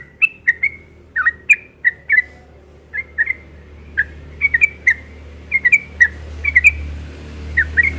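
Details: A yellow-vented bulbul sings its ropel song persistently in the morning: lively, gurgling notes rising and falling, spaced irregularly, with a steady low droning hum behind.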